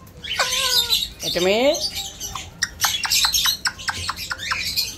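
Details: Pet Alexandrine parakeet imitating human speech: a nasal, layered squawk, then a wavering, drawn-out croak, followed by a rapid series of dry clicking ticks.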